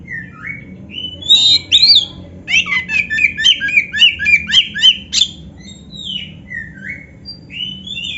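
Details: Oriental magpie-robin (kacer) singing a full canary-filled song, used as a tutor recording to lift a kept bird's breeding drive and ease stress: short rising whistles, then a rapid run of repeated chirpy notes, then looser varied whistles.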